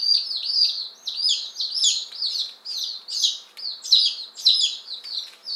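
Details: Peeping of one-day-old Appenzeller Spitzhauben and White Crested Blue Polish chicks, fifteen birds just arrived on May 19, 2015; many high, shrill overlapping peeps, each falling in pitch, several per second without pause.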